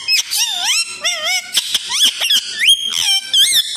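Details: Pet Alexandrine parakeet, a talking parrot said to speak Hindi words. It gives rapid bursts of warbling whistled and squeaky notes that slide up and down, with brief pauses between the phrases.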